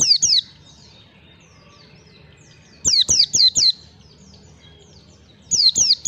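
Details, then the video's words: Pleci lure recording for young birds learning song: bursts of three to four rapid, high, falling whistles repeated roughly every three seconds, with soft twittering in the gaps. "pancingan pleci belajar ngalas 1 2 3 ketukan"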